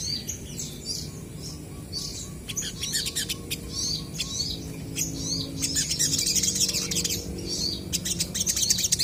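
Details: Crested jay birds answering each other, kept to prompt other birds to respond: bursts of high, sharp chirps and short trills. Low background rumble and hum sit beneath the calls throughout.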